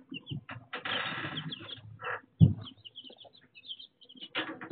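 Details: Young chicks filmed raw on a chicken cam: thin high peeps repeated between bursts of fluttering, scratching and rustling, with a sharp knock partway through.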